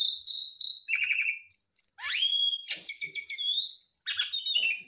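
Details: Javan pied starling of the Garuda mompa type delivering nonstop mimicry fills for training songbirds: level high whistles, a stuttering trill, a steep upward sweep, then scratchy rattles and rising whistles, all clear and continuous.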